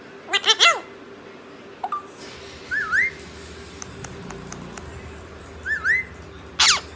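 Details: Talking parrot in Punjabi: a rough chattering phrase at the start, then a twisting rising whistle repeated twice and a final harsh burst, with light clicks and a low background rumble.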